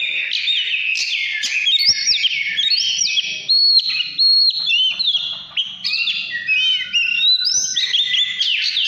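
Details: Oriental magpie-robin, 2017, singing in a fired-up 'căn lửa' state: a long, steady stream of loud whistled notes, stepped and sliding phrases, and flat held tones, with a faint low hum.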